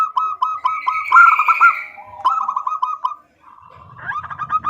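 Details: Female zebra dove calling a male, with fast stuttering coo series, a brief gap, then a softer rolling run of clipped notes and some low background rumble.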